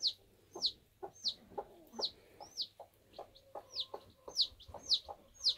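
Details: Bantam chick emerging from its egg gives a steady run of shrill, downward-sliding peeps, about eleven in under six seconds, over soft knocks and a low background hum.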